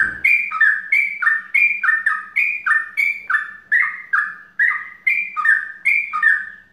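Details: Yellow-vented bulbul in mbandul ropel style, repeating rich two-part notes, each a bright stroke dropping to a lower throaty tone, about three phrases every second in a steady chattering run, with faint low hum beneath.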